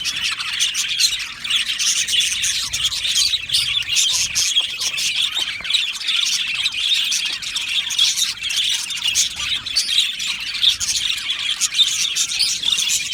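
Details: Budgie aviary chorus, a long steady wash of overlapping chirps, warbles and clicks from a crowded colony, even in loudness throughout.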